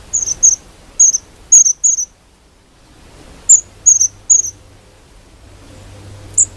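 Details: Long-tailed tits from a winter flock at a UK garden feeder with suet cake, pecking and chasing in a minor dispute over position; very high, thin, short notes in quick bursts of two to five, then a pause and a lone note.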